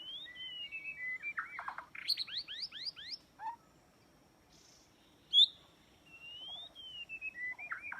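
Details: White-rumped shama song used as a trapping lure: long descending whistles, a rapid series of sharp downslurred notes, a pause, then a single sharp note and drawn-out whistles over faint steady background hiss.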